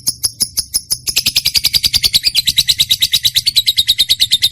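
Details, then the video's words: High clipped chirps from a trained lovebird, evenly spaced, then after one second a dense, piercing, fast chattering trill that continues to the end. "lovebird mp3 cocok buat pancingan burung kesayangan sambil ngopi"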